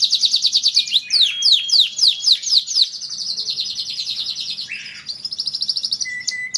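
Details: Canary singing a 'dor'-style tutor song used to prompt other canaries: a rapid series of sharp downward-sweeping whistles, about three per second, then a long dense high trill, a lower rolling burst and a clear steady whistle.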